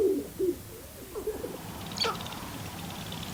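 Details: Displaying Sharp-tailed Grouse on a lek at Glacial Ridge NWR, northwest Minnesota, recorded from a blind in early April following a snowstorm with about ten birds; soft hooting coos and low murmurs, then a sharp higher chirp from another bird.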